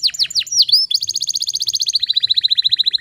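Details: Canary song used as a training lure for non-singing canaries: several quick downward slurs and a rising whistle, then a steady rapid high trill of evenly spaced notes.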